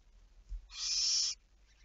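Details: A single barn owl screech, recorded 11 May 2019 at 23:34: a loud hissing rasp of roughly two-thirds of a second, preceded by a soft low knock, with near silence around it.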